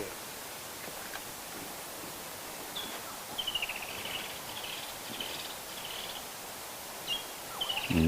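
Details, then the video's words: Several woodland kingfishers call at sunrise on a December 30 drive and bushwalk through breezy woodland, each a sharp high note then a descending trill, heard twice over wind and bush noise; the calling bird is probably not the perched one in view. "And you can hear some woodland kingfishers calling."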